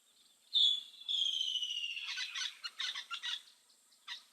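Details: Woodland Kingfisher calling loudly at an African waterhole in late November, one bird answering another: one sharp high note, then a long descending trill that breaks into stuttering pulses as it fades.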